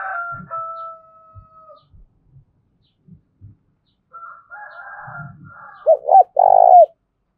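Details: Spotted dove call meant to stir wild doves to coo for trapping: a long level whistled tone with a lower partner fades out, soft taps follow, then the dove gives two short notes and a drawn-out coo.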